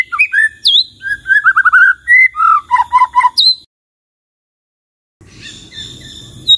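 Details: White-rumped shama singing a quick run of varied whistled phrases, some slurred downward and others short clipped notes, before it breaks off into silence and then faint background rustle with a high note.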